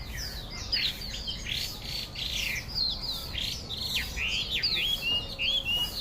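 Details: Loud Chinese hwamei (melodious laughingthrush) singing a rich run of varied whistled phrases, with quick slurred upward and downward notes and short trills flowing almost without pause over faint low background hum.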